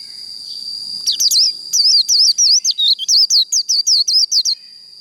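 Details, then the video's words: Japanese white-eye in líu fighting song meant to excite the bird: after a steady high tone, a rapid string of about fifteen high, twisting whistled notes over three and a half seconds. "Vành khuyên líu đấu"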